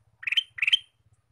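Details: Lure male kutilang emas, or sooty-headed bulbul, calling to draw in wild birds: two brief phrases of rapid bubbly whistles, each climbing to a sharper final note, with a faint low hum underneath.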